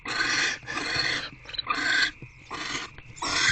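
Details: Barn owl family at nest box C, 16 February 2024, during food delivery and bonding: dense, raspy hissing shrieks in half-second bursts that come close together and sometimes overlap, with short quiet breaks between them.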